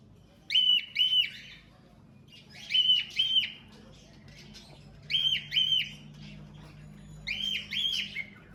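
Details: Baby cockatiels in a 5 June 2025 breeding recording repeat short double whistled calls with buzzy overtones, four bursts spaced roughly two to two and a half seconds apart, over low background hum.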